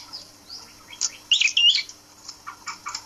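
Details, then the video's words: Prinia in a hanging cage for taming, a brief cluster of high, whistled chirps followed by faint scratchy twitters. "Prenjak kepala merah dijantur agar cepat jinak"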